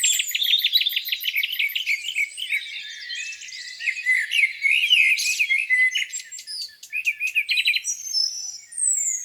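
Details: Songbirds by a lake on a spring morning: rapid twittering and repeated short notes, roughly three per second, over a busy background of high thin calls and trills.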